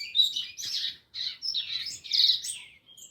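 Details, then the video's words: Rusty-collared seedeater singing in fast, high twittering phrases with buzzy, slurred notes, broken by a short pause near the one-second mark, then a denser, louder burst toward the end. "Papa-léguas e atrevido cantando"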